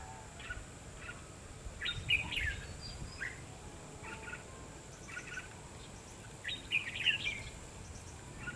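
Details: Red-whiskered bulbul during trapping with a decoy bird on 22 February 2016. Brief bright chirping phrases come in loose clusters, with the strongest bursts around two and seven seconds, over steady low hiss.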